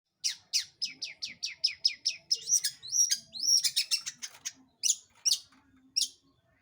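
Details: Long-tailed shrike song used as a lure to provoke other birds into singing: a fast series of high, sharp chirps repeated about twice a second, then denser scratchy notes and a few spaced squeaky whistles.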